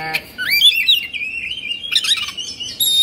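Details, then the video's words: Caged Oriental magpie-robin from Indonesia in agitated state, fluffing and spreading its tail, delivering varied whistled song: sweeping slurred notes climbing and falling, a long drawn whistle, then a burst of harsh rapid notes. "Suara Kacer Emosi/Kongslet"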